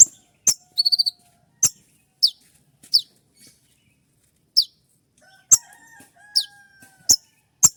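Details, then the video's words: Spotted konin, a kolibri ninja sunbird, in dawn training 'shot' song: sharp high falling chips with short gaps, one brief buzzy trill near the start, faint thin whistles later. "Masteran dan Terapi konin trotol dengan suara tembakan yang mudah"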